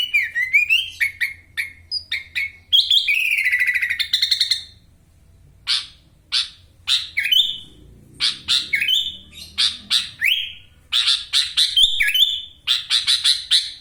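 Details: Caged sooty-headed bulbul from Wonosalam, East Java, tutored with master recordings, singing vigorously with a song full of lovebird ngekek fills: bright whistled notes sliding up and down, mixed with harsh buzzy bursts in a rapid, insistent sequence.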